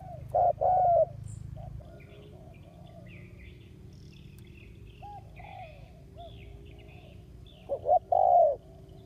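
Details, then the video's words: Ground decoy spotted dove calling to draw in wild doves, August 2021: a short coo and a long falling coo at the start, a long quiet gap with faint distant chirps, then another coo pair near the end. "Tiếng chim cu mồi đất cực sung hiệu quả kích mồi"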